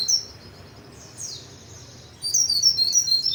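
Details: White-eye in full, energetic song: a faint high chirp at the start, a quiet sweeping note, then a loud run of rapid, very high twittering notes over the last second.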